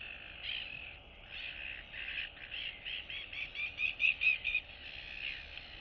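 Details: Neighbouring royal albatross chicks chat and greet one another, September 2022. Soft, nasal calls speed up into a rapid run of short pulsed notes, about two per second, then fade.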